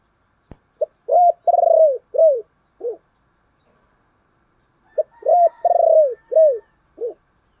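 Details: Spotted dove calling coo, used to stir a decoy bird, in two clear phrases. Each runs: short lead notes, a rising coo, a long pulsed falling coo, a drooping coo and a low trailing note. A sharp click sounds near the start.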